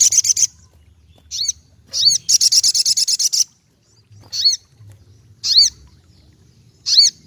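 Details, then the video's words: Ruby-cheeked sunbird singing vigorously: bursts of high, rapid buzzy trills alternate with short, sharp hooked whistled notes, with brief pauses between phrases and faint low background hum. "Bunyi Burung Sogokontong Gacor"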